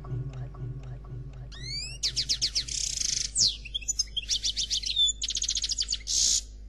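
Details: European goldfinch of the Noir Khalwi type, singing a faultless song: after a quiet start with low hum, rising whistled slides lead into fast buzzy trills, rattles and tinkling twitters, high and varied.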